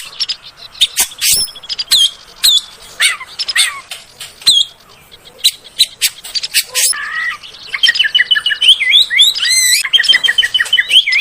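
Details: Oriental magpie-robin song used as a lure to rouse caged birds into singing: a dense, varied run of sharp clicks, whistled slurs and rapid chattering notes, mostly high-pitched, ending in looping warbled phrases.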